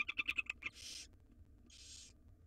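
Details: Begging from wild barn owl nestlings during a jird feeding by their mother: a quick series of sharp clicking pulses, then two loud, broad, hissing screeches, each near a third of a second.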